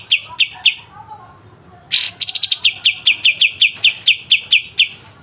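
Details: Kapas tembak masteran with sharp besetan, from a pied triller: three spaced chips, a lull, then a sudden loud harsh burst giving way to a rapid series of bright high notes that slows toward the end.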